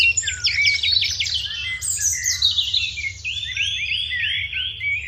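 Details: Morning chirping of house sparrows alongside a crow: dense bright chirps and short repeated notes, then a series of arched chirps, over a steady low hum.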